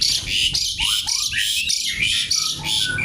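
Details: Active Javan pied starling in a crackling, garuda-style song. Rapid harsh rasping bursts come about three per second, threaded with clear downward-sliding whistles.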